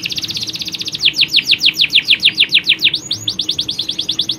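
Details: Caged canaries in a mixed male and female colony, males in full song: a rapid high trill, then a long series of sweeping downward notes about five per second, ending in another quick trill.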